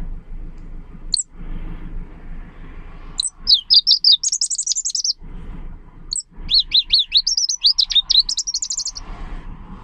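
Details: Leaf warbler song, compared to a gurgling stream, crisp and sweet: two bursts of fast, high, twisting whistled notes, each lasting a few seconds, separated by a short pause with soft low rumble between.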